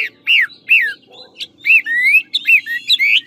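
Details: Chinese hwamei, a large 'ngũ trường' bird from Lạng Sơn, giving a few loud looping whistles and slurred rising notes with short pauses, over a faint steady low hum.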